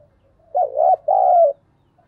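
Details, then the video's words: A single thúc bổi phrase from a decoy spotted dove: two quick hoarse coos followed by a longer smooth coo that tails off downward. A faint low rumble is audible behind it. "Chim Cu Mồi gáy gọi và Thúc Bổi hay"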